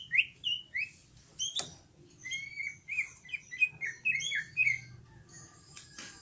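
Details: Greater green leafbird in energetic 'gacor' song: a few short slurred whistles, a sharp click, then a fast, jumbled chatter of bright warbled notes. A faint low hum runs underneath.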